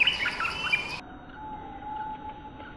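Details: Fierce territorial bulbul on a lure recording: a burst of bright, high whistled and chirped notes packed into about a second, then an abrupt cut to quiet background hum.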